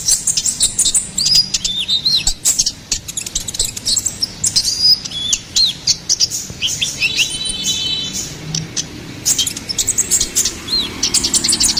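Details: Ruby-cheeked sunbird giving lively gacoran song for songbird tutoring: long sequence of high thin chirps, little whistled upslurs and a buzzy trilled passage midway, with short pauses between quick runs.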